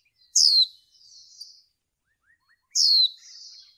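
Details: Two shrill downslurred chirps from a female white-eye, used to stimulate males in bird training, about two and a half seconds apart, each followed by a soft, high, drawn-out twitter.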